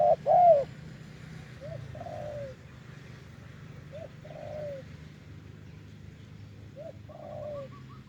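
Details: Wild spotted dove lured to a branch with a decoy: one loud coo at the start, then fainter distant rising-falling coos about every two and a half seconds over steady low rural noise.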